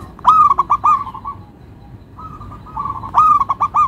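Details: Local zebra dove with a melodious rhythm: a clear, mid-pitched cooing phrase of rapid stuttered notes, then a brief pause, smoother sustained coos, and another quick run of stuttered notes.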